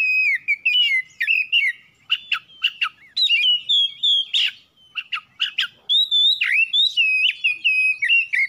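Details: Oriental magpie-robin singing to provoke other birds to sing, with steady whistled phrases, wavering slurs and quick sharp chips delivered almost continuously, with a short pause midway.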